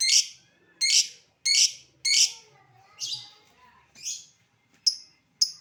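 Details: Lovebird call in ngetik then ngekek style, used to provoke other lovebirds into calling: rapid series of harsh, sharp high notes, about eight in under six seconds, some softer in the middle.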